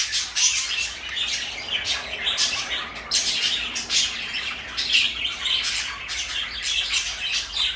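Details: Captive parakeets, a blue one and a light yellow one, chatter nonstop with scratchy squawks and high chirps in pulsing bursts, no other sounds standing out.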